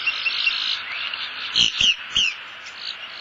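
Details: Wild bald eagle at a nest in southwest Florida during the delivery of a headless fish: three short, high, downslurred chirps in quick succession midway through, with soft thumps and faint background chatter.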